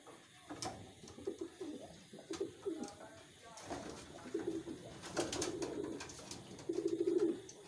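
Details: Wild pigeons raised in captivity utter soft, burbling coos in short phrases, growing louder near the end, amid faint knocking.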